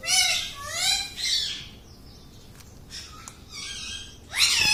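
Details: Talking pet parrot in a small room, two quick bending syllables at the start, then quiet, ending with a sharp bright burst.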